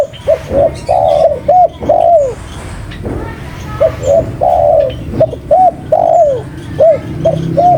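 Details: Spotted dove cooing loudly and persistently: soft, mellow phrases of short hooted notes and longer drawn-out coos, repeated several times with brief pauses, over a low background rumble.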